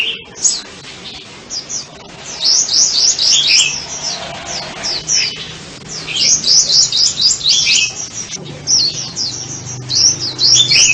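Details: Sunbird giving long, dense streams of very high, thin twittering notes in quick slurred sequences, broken by brief pauses and then resuming strongly, with a soft low background hum throughout.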